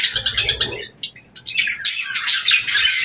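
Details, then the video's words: Budgerigars singing: rapid, evenly spaced chirps repeated about every tenth of a second, then a brief lull broken by single notes, before dense, high, scratchy warbling resumes. "Parakeet Videos | Beautiful Birds Singing"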